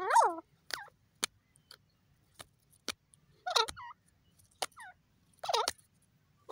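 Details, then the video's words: Desi teetar, a francolin, calling: a series of short, nasal, wavering notes repeated every second or two, interspersed with sharp clicking taps. "desi teetar ki funny awaz"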